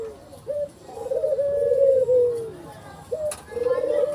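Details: Collared dove, white with black collar, producing a short lifted note then a long vibrating coo gently falling, repeated twice in a quiet setting.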